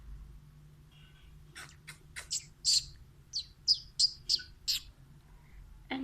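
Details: Captive pet Alexandrine parakeet producing a loose series of about a dozen short, sharp chirps and rasping notes, irregularly spaced, against a low background hum.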